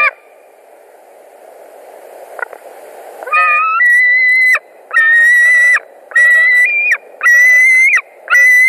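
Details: White-tailed eagle at a Latvian nest, 21 July 2019, evening, as another eagle comes in on a brief visit; after a quiet start, sustained piercing screams about a second long follow one another with short gaps.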